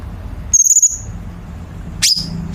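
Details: Chinese bulbul on a recording meant to train competition songbirds. A brief pulsed high whistle is followed after a pause by a sharp downslurred chirp, with a steady low hum underneath.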